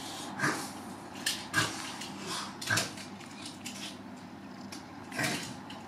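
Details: Lesser black-backed gull (Larus fuscus intermedius) at Kabelvåg, Lofoten, giving short, harsh, nasal calls at uneven intervals, about six in six seconds, over a low background hum.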